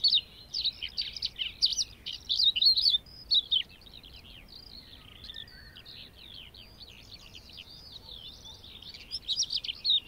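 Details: A lark, filmed in meadows and grasslands, pours out a long, fast, unbroken song of high twittering and trilling notes, louder at the start and end and softer through the middle.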